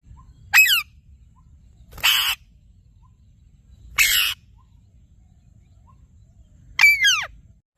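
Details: Parrot giving four harsh, raspy squawks spaced about two seconds apart. Some are noisy bursts, others have falling, ringing overtones. Faint low background hum between calls.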